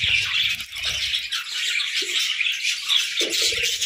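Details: Brief stretch of morning parakeet chatter, dense high chirps and scratchy twitters, with rattling low bumps at the start and end.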